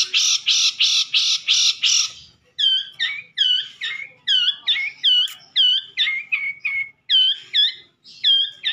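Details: Long-tailed shrike from Madura singing a full masteran: five loud harsh buzzy notes repeated about twice a second, then a long run of quick looping whistled phrases rising and dropping in pitch.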